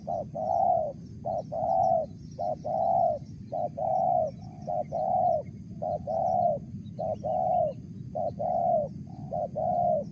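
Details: Loud, clear Spotted dove coos in the Mersik style, a short note then a longer one, repeated at a steady pace of about one pair per second with little background noise.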